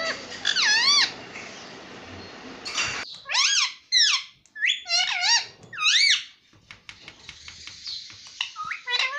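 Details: Pet rose-ringed parakeet mimicking the words "mummy papa": a rapid series of strong, wavy, harmonic syllables swooping up and down, delivered in clusters after a hissy start, with brief pauses between phrases.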